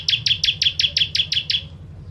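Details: Brief burst from a bar-winged prinia, or ciblek, singing the 'kristal tembakan pedas' master song: nine quick, evenly spaced piercing chirps fading out over under two seconds, against a faint low hum.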